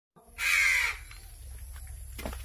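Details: A hungry crow being hand-fed calls once with a single harsh, broad caw of about half a second, then quiet apart from low background hum.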